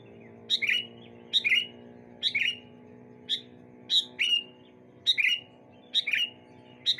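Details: Sooty-headed bulbuls calling to each other on a sunny morning, evenly spaced sharp chirps with short whistled endings, about once per second, over a steady low humming drone.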